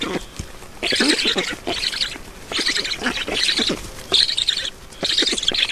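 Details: Black storks at an Estonian nest during feeding, 7 June 2019 in the afternoon: wheezy, hissing bursts about half a second long, repeated with short pauses, with faint clicking between them.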